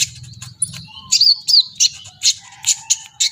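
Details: Brown-throated sunbird singing hard, excited and fluffed up: a high thin whistle, then a quick series of sharp twittered chirps and swooping slurred notes, roughly four per second.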